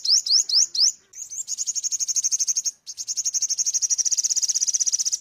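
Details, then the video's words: An Ornate Sunbird gives four quick, thin, rising whistled notes, then a long, very high, fast buzzy trill at about four notes a second. "Tiếng chim Hút mật 5 màu | Ornate Sunbird"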